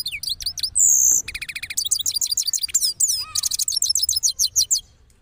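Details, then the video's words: A cross goldfinch after its moult, from Parachinar, delivers a rolling song. Dense, rapid high twittering and trilled runs are broken by a sustained buzzy note, then a brief lower slurred whistle. "Cross Gold Finch Part 3 After Moulting Rolling Songs"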